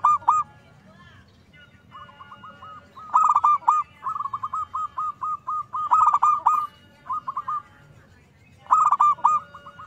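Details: Zebra dove song played as a lure to stir other zebra doves to sing. Loud rolling coo phrases recur about every two to three seconds, linked by long strings of softer, rapid, evenly spaced cooing notes.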